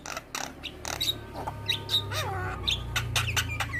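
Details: Javan myna in mature plumage, singing vigorously and nodding: grating squawks and short chattering bursts, with one rising and falling whistled note, over a steady low hum.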